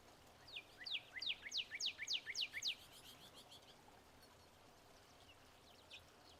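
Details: Wilson's warbler at Ash Canyon Bird Sanctuary near Sierra Vista, Arizona, 26 April 2024, gives a quick run of about eight high, sharp, downslurred chips over two seconds, then one lone chip, over faint hiss.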